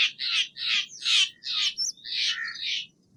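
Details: Steller's jay giving a fast series of about seven loud, harsh, grating squawks, each note rasping and broad, run together with barely a pause between them.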